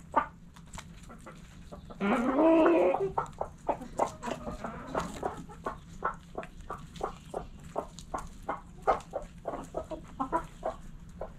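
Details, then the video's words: Chickens in a backyard coop: a drawn-out harmonic squawk followed by a steady series of short, sharp clucks, roughly three or four per second, over a faint hum. "Backyard Chickens In The Coop Relaxing Video Sounds Noises Hens Clucking Roosters Crowing!"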